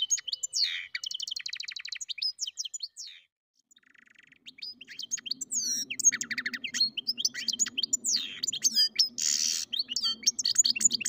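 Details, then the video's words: Mule of goldfinch and canary singing; an opening trill, a short pause, then a long run of sharp twitters and slurred whistles, with a low hum underneath. "καρδερινοκαναρο κελάηδημα (European Goldfinch carduelis mule singing)"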